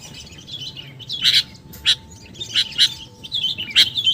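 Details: Sooty-headed bulbul calling as a bird lure: scattered bright chips, some in quick pairs, amid soft chattering, with a faint steady tone running throughout.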